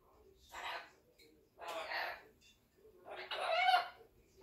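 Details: Red-tailed African grey parrot, a 20-month-old pet, talking: three voiced, speech-like syllables like "la la la" at about one-second intervals, each with rich harmonic bands, over a quiet room background.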